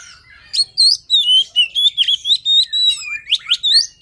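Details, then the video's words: Rapid, continuous song of a white-rumped shama for luring, with loud high whistled notes bending up and down about four times a second in a chattering run. "Suara Pancingan Poci | Kicau Kacer Gacor"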